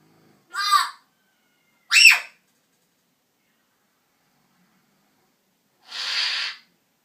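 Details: African grey parrot kept indoors, calling in a bedroom first thing in the morning: a harsh harmonic squawk, then a short rising-and-falling whistled note, and after a pause a hissing, noisy burst.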